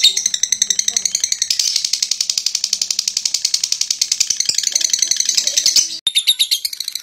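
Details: On a home terrace, a young lovebird still learning its voice performs ngekek chatter, a fast run of piercing high notes pulsing steadily for about six seconds, with a brief break near the end before the chatter resumes.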